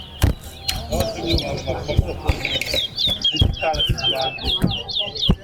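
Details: Towa-towa singing in a competition at Betterhope Center ground: quick, high whistled notes in repeated slurred phrases that run steadily through the clip, over crowd talk, music and loud low thumps.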